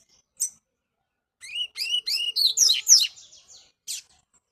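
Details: Double-collared seedeater kept for song tournaments, trained out in the bush; a lone high note, then a fast phrase of sharp, rising and falling whistled chirps building in loudness, closing with a final isolated note.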